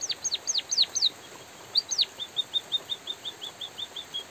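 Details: Loud white-headed munia song with natural pauses, recorded in light drizzle: a burst of thin, high whistles that swoop downward, then an evenly spaced series of short, clipped high notes about five per second. Soft rain hiss underneath.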